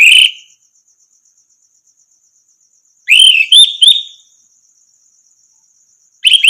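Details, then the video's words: Caged orange-headed thrush song, used as a training recording to teach other birds to sing: short, rich whistled phrases at the start, middle and end, separated by silence, over a faint steady high ticking in the background. "masteran burung anis merah macet bunyi langsung nyaut gacor"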